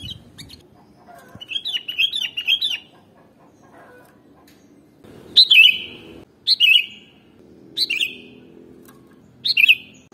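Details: Kutilang, the sooty-headed bulbul, sung to attract birds: an opening burst of chattering notes, a pause, then four rich gurgling phrases about one and a half seconds apart.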